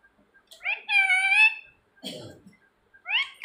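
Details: Talking pet parrot indoors calling out its owner's name; one sustained, nasal, speech-like syllable, a short breathy rasp, then the start of another voiced phrase.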